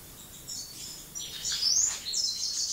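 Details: Young European goldfinches in breeding condition singing: quick, high, tinkling twitters and sliding chirps in short bursts, with faint background hiss.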